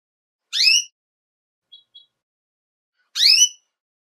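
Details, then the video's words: A female Belgian canary calls in breeding season to stimulate males, giving two loud, bright, slightly descending chirped calls about three seconds apart, with two faint high ticks between them. "FÊMEA DE CANÁRIO BELGA CHAMANDO MUITO PARA APRONTAR MACHOS"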